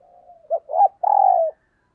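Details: Spotted dove used as a decoy, cooing in 'thúc gù' style: faint murmuring, a short note, a hooked rising coo and a long, even, husky coo ending in a slight downward slide.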